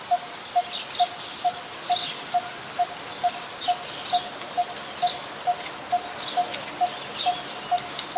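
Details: Coppersmith barbet, a very common resident, recorded at Ubon Ratchathani, Thailand, on 1 February 2020: a steady series of low hollow 'tonk' notes, about two per second, evenly spaced, with insects and other birds faint in the background.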